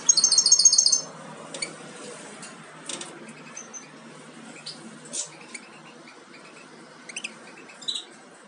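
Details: Captive-bred European goldfinch fledglings close to leaving the nest give a fast, rapidly repeated high trill in the first second, followed by scattered thin chirps and faint twittering.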